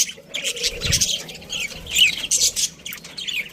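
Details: Short sample from a budgerigar breeding colony: raspy overlapping chirps with a thin whistled note in the middle and a low thud early on.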